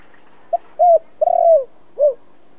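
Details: Spotted dove "kích bổi" coo in the thổ voice style, used to provoke decoy doves: one four-part phrase of a short low note, a hooked coo, a long coo with a stuttering start, then a falling final coo.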